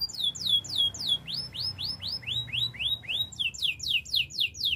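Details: Spanish Timbrado canary song for training: a string of arched, sliding notes delivered about four per second, accelerating into a quicker, higher series of dropping slurs.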